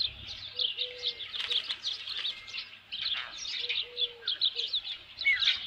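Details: Osprey calling at its nest at Dunrovin Ranch, 27 June 2018 around 12:48 PM, with a headless fish: a steady stream of soft, high squeaky chirps, repeated rapidly throughout, somewhat distant and muted.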